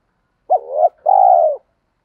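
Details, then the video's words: Lure call of a spotted dove meant to stir wild doves to answer: a single low coo in two parts, a short rough note with a quick upward flick, then a longer steady hollow note. "chim cu gáy thúc kích bổi rất xiêng gáy, tiếng gáy gọi dúp bổi nghe xong có hứng gáy theo liền"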